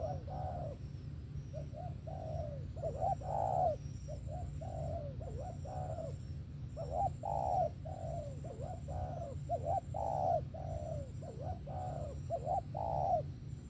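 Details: Long sequence of spotted dove coos, short bent double notes alternating with rounder drawn-out coos, repeated continuously, with a thin high whine and low hum in the background.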